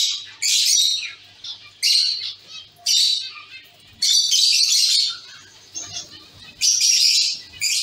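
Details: Caged zebra finch colony: loud, nasal, toy-trumpet-like calls in distinct bursts about once a second, several birds overlapping, with brief quiet gaps between.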